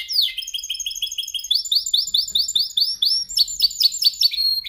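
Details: Canary practising during singing training to perfect its song: loud, rapid series of high whistled, rising notes, about two per second, shifting into trilled phrases with overtones, clean with no other sounds.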